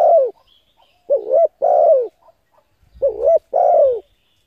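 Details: Spotted dove coo phrases for luring and stimulating decoy birds, repeated roughly every two seconds: a rippling two-note lead-in followed by a full, downward-sliding coo, with a faint low rumble near the end.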